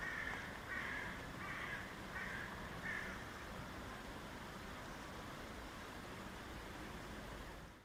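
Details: Crows in the Augarten: one gives five harsh, hoarse caws, about one every 0.7 seconds, then falls silent over steady background rumble and hiss.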